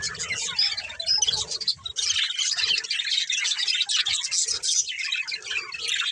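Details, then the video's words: A group of pet budgerigars chattering as they play, a scratchy, buzzing warble of many small chirps with occasional thin whistles, steady and dense, with faint low thumps. "Cute Budgies Chirping Sounds"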